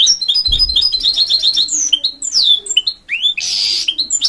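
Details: High twittering goldfinch mule song of quick chips and sweeping down-slurred whistles with a harsh buzzy burst near the end; a faint low thump early on.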